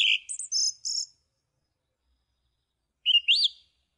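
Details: Song thrush song fragment: a quick high doubled phrase, a pause, then a pair of sharply rising notes.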